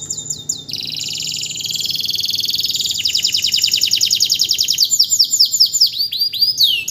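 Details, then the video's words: Canary kept as a tutor bird for training others, singing strongly right after its moult: loud, continuous high rolling trills, rapid repeated notes and sweeping whistled phrases that shift in speed without pause. "kondisi setelah mabung kenari langsung gacor"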